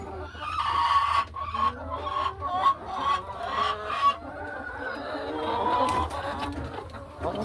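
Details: Laying hens settling into nesting boxes in a hen house during a quiet farm afternoon; a run of short, bright clucks with rising and falling notes, followed by softer murmuring and a low background hum.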